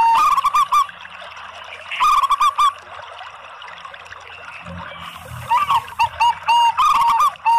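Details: Zebra doves of local and Bangkok types sing together, meant to lure other zebra doves. Brief trilled coo phrases open the recording, followed by a long quiet gap, then a livelier run of coos near the end with scattered clicks.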